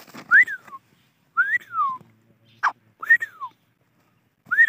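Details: Grey francolin giving clear whistled notes that rise and then slide down, repeated about every one and a half seconds with quiet gaps between them.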